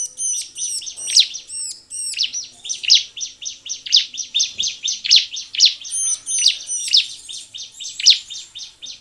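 Bar-winged prinia pouring out a fast, high, chirping song, bright notes repeated several times a second with louder accented chirps; no other sounds stand out.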